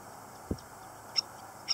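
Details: Stilt chicks at LaRiviere Marsh: two short, high, thin peeps about half a second apart, preceded by a single soft low thump, over a quiet steady background hiss.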